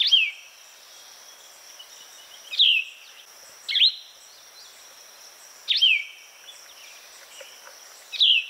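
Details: Plumbeous vireo singing short downslurred phrases with a burry quality, spaced irregularly through the clip, with a constant thin high hiss behind them.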